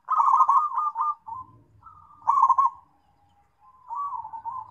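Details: Zebra dove, local type, calling to companions: a dense rolling coo phrase, a soft drawn-out note, a second bubbly burst, then quieter trailing coos, with faint low rustling underneath.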